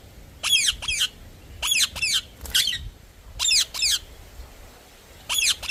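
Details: Parrot giving harsh, scratchy squawks in quick pairs, each pair separated by about a second of quiet, with faint low background rumble.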